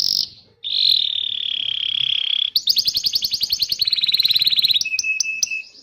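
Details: Canary song intended to stimulate young canaries and birds that have stopped singing; a long flat rolling tone, then a fast descending pulsed trill and short high chips.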